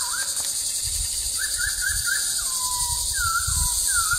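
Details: Masked laughingthrush giving a natural lure call: a quick series of short upslurred whistles followed by longer drawn-out descending whistled notes, against constant high-pitched background hiss.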